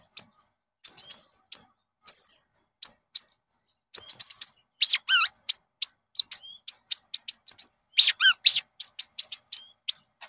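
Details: Olive-backed sunbird (konin) lure song for training caged birds. Sharp high chips are mixed with a few thin whistles and two quick descending twittered runs.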